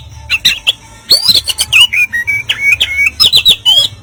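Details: Oriental magpie-robin in harsh "kasaran" song material: quick sharp chips, buzzy rasping notes and bright whistled slurs packed densely, with a low hum in the background.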